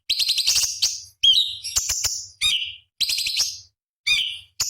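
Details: Small cucak cungkok on a master recording for contest birds: bright rattling bursts followed by high level whistles and dropping slurred notes, repeated in quick succession.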